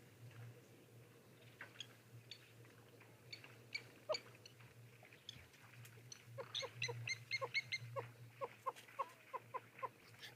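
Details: Close to the camera at a hot, dry waterhole at Okukuyu on 29 December 2023, before sunset, a probable yellow-billed hornbill gives hollow clucking notes that speed up. A low hum and faint birds are behind.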